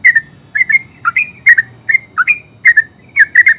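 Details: Yellow-vented bulbul (terucuk) singing ngeropel: fluid whistled notes grouped in twos and threes, with slurred rises and drops and short gaps between the groups.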